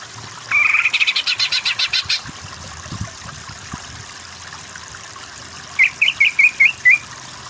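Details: Greater green leafbird (cucak ijo) masteran for birds lacking power, aimed at kejer singing; a rapid pulsed trill of about a second and a half, then after a pause a spaced series of six short, sharp chipping notes.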